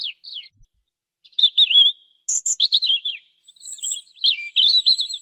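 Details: Song of a European robin, recorded in high quality: sliding whistled notes, then dense warbled phrases mixing very high thin tones with lower rippling trills, delivered in bursts with brief pauses; quiet background.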